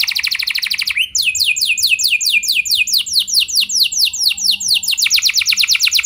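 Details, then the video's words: Canary in full energetic song, a luxurious song played so other canaries join in with long singing: a rapid high buzzy trill, then a switch to a run of sweeping downslurred whistled notes repeated about twice a second, steady and loud throughout. "Kenari Gacor Lagu Mewah! Buat Kenari Mana Saja Bakalan Langsung Ikut Gacor Panjang"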